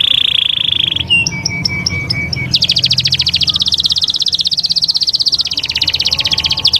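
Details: Canary singing Taghreed, a style used to school young birds: a sustained high whistle, a few spaced pips over a lower tone, then an extended rapid buzzing trill of repeated notes.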